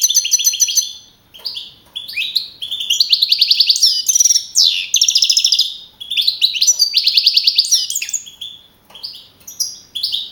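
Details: Young male European goldfinch, first-placed contest bird, Navalcarnero, Madrid, 15 April 2012; a long continuous song of tinkling twitters, buzzy trills and swooping slurs, phrases broken by brief gaps.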